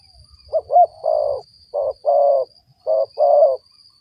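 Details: Spotted dove cooing for luring wild doves: a rapid run of soft, hollow, repeated coos, short notes alternating with longer purring ones, set against a faint steady high whine.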